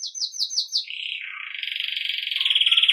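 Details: Belgian canary in campainha (bell) style for training young birds: five fast descending slurred notes, then a lower sustained rolling trill that quickens and brightens.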